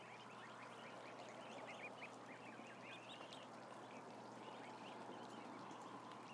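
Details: Big group of about a thousand ducklings producing a clustered burst of high, upslurred peeps, loudest around the middle, over continuous background hum.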